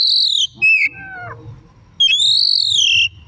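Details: In the afternoon an Oriental magpie-robin gives lure song: a high whistle slides down into a stepped descending series of notes, then after a pause comes one long, bright arching whistle.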